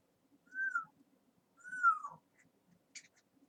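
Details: Pet talking parrot whistling twice, each note a smooth tone that rises slightly then falls, followed by a faint short chirp, with low household hum underneath.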